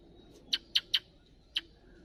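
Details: Wild bird chicks being fed, calling for food: four short, sharp high chirps in quick succession, then a pause and one more chirp, over a quiet background.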